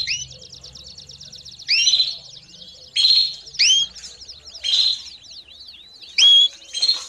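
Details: Canary calling, meant as training for young birds; loud rising chirps repeated about every one to one and a half seconds over soft continuous twittering.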